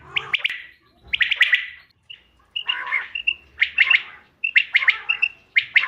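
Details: Common quail call offered as a hunting lure, dated 5 June 2025: bursts of sharp, rapid clicking pulses alternating with short clear whistled notes, with brief silent gaps between phrases.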